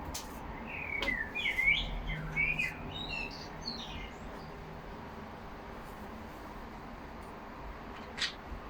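Budgerigars chatter in a quick burst of warbling, twittering notes for about three seconds, then fall quiet, with a soft click near the end.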